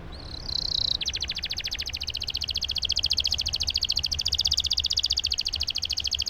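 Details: Canary in full song with a long roll to encourage silent canaries: a brief buzzy note, then a very fast continuous high trill lasting several seconds, with soft background noise.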